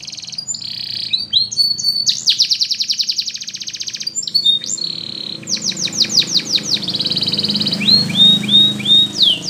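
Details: Flute singing of a Russian canary meant for training: pulsing trills, a long rapid rattle, a whistled held note, then a run of rising-falling sweeps and buzzy rolls; faint low background noise.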